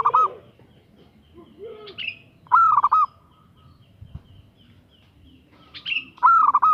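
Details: Female zebra dove calling a male with repeated rolling, pulsed coos. Higher, thin chirping notes from another bird and a soft lower call are interleaved between the phrases.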